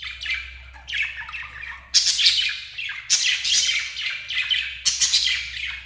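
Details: Two lovebirds keeping up loud, continuous high chatter: rapid shrill chirps and raspy squeaks run together in waves, with a faint low hum underneath.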